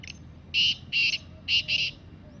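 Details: Free wild black francolin in jungle gives its harsh, rasping call: a brief soft note, then four strong grating bursts, the last two close together, with faint low background rumble.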